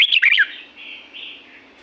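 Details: Red-whiskered bulbul from Pa La-U forest, Thailand, in nature: a quick bright warbled phrase of chirpy up-and-down notes, followed by fainter sound.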